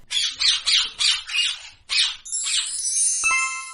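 A parrot gives harsh, raspy squawks, about six in quick succession over two seconds. Sustained tonal music follows.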